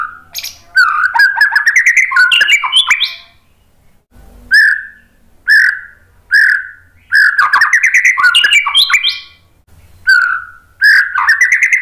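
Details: White-rumped shama singing to draw other birds into replying. Rich, varied warbled phrases with rising whistles alternate with short single whistled notes, separated by brief pauses.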